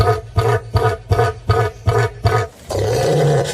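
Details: Male Southern Cassowary, which incubates eggs and tends chicks, giving a threat call when its chicks or itself feel threatened: about seven deep, throbbing grunts at roughly three per second, then a low rumbling drone as music begins.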